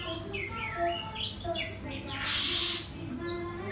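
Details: Kacer, the Oriental magpie-robin, gives whistled, sliding phrases and sharp chirps, broken midway by a brief loud burst of broadband noise over a constant low hum.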